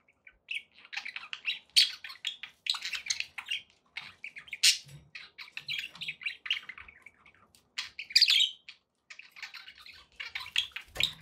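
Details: A flock of pet budgies chatters steadily, mixing scratchy warbles, soft clicks and occasional sharper squeaky chirps over several seconds.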